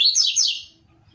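A saffron finch gives a quick burst of high, sharp chirping notes that stops abruptly.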